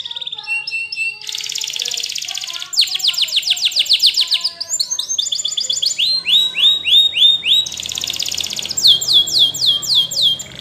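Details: Belgian canary singing a varied song of rapid trills, downward-sweeping repeated notes and rolling buzzy tours, phrases changing every second or two, all high-pitched and clear.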